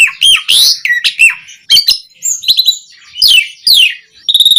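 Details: Song of an Asian pied starling, used to provoke caged starlings to sing, with piercing whistles, downward-sweeping buzzy notes and short harsh chatters separated by brief pauses, ending in a rapid rattling trill.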